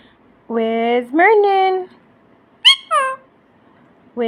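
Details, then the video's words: A pet ring-necked parakeet talks indoors in short, harmonic, voice-like phrases, about four bursts with brief pauses; its phrases include "kiss", "hello" and "I love you". "Talking parrots"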